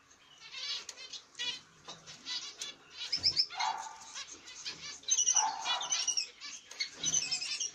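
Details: Masked black-cheeked mutation zebra finches, a caged pair with their chicks in the nest: dense, busy high chirps and short calls tumble over each other, with wing flutters throughout.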